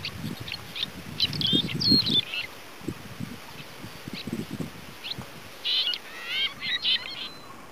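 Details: Red-rumped swallow twittering in bursts of high chirps and short rising and falling warbles, with low rumbling knocks or wind thumps underneath during the first half.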